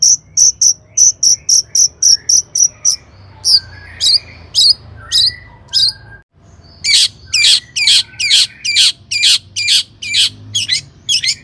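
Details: Shrike song serving as a lure for other shrikes: rapid strings of sharp, high ticking notes repeated almost twice a second, interspersed with lower whistled slurs, then louder rasping notes in steady succession.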